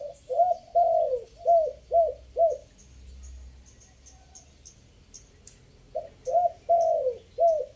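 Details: Chiang Mai spotted dove decoy bird giving its three-note 'kuk' coo: a burst of low arched hoots, a pause with faint high ticking sounds, then another series of mellow coos including one long drawn note.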